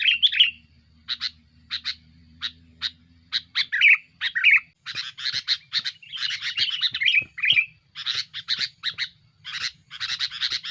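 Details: Noisy, active sooty-headed bulbul song aimed at pressuring rivals and used as a lure: a long series of scratchy chattering bursts and short chips, some clear slurred whistles, gaps shrinking as the phrases grow denser and louder toward the end.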